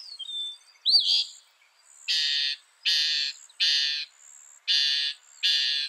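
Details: Northern mockingbird song: after an opening upward sweep, a harsh, broadband rasping note repeats five times, each burst about two-thirds of a second apart, over a faint steady high hiss.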